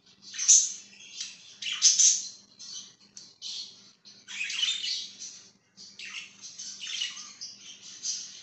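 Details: Budgie chirping and squawking, loud scratchy warbled phrases with sharp squeaks, over a faint steady low hum in the room.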